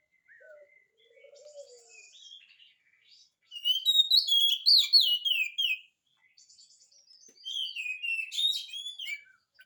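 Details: Oriental magpie-robin in energetic song, played to prompt reluctant magpie-robins to answer. Soft low whistles open, then a loud run of rapid, varied whistled and chattering notes, a short pause, and another bright sweeping phrase.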